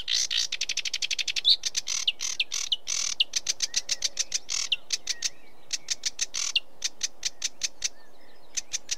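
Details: Sedge warbler pouring out varied song: harsh churring phrases, clipped whistles and accelerating dry rattles, then sparser ticking notes as the phrase winds down.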